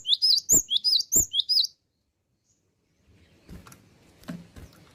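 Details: Cinereous tit, a gacor bird in full voice, gives a burst of high, sharp whistled chirps in quick two-note phrases, about seven notes in under two seconds, then stops; faint knocks and low thuds follow.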